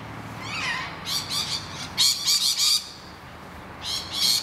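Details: Rainbow lorikeets defending their hollow against noisy miners; soft descending whistled notes from another bird open, followed by loud, rough, rapid screeches in clusters.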